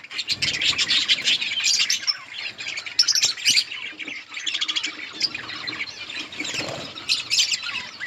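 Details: Flock of budgerigars feeding in an outdoor colony, keeping up a continuous warbling chatter of high chirps and scratchy squawks, many birds calling at once with no pauses.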